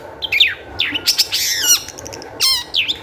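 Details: Lure song of a long-tailed shrike, meant to make other shrikes sing: quick varied phrases of falling whistles, a harsh buzzy trill and a high down-slurred squeal, all in three seconds.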